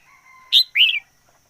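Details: ['Red-whiskered bulbul used as a decoy, giving a loud, short two-part phrase: a sharp bright note followed by a rich slurred whistle, over a faint steady tone.']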